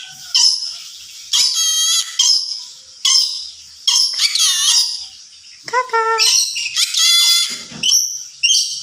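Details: Pet yellow-sided conure mimicking speech, giving scratchy, high-pitched squawked phrases and a few lower, voice-like talking syllables in separate bursts, with short pauses between.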